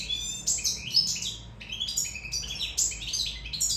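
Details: European goldfinch from Sicily, in love, delivering a fast liquid twitter of high tinkling notes, short trills and buzzy slurs packed into quick bursts separated by short gaps.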